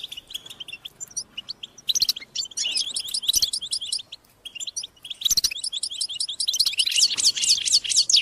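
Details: Several European goldfinches chattering and singing together, a group stimulation recording meant to prompt males to sing; dense, tinkling, high twittering phrases and liquid trills rise and fall in rapid bursts, with brief pauses between flurries.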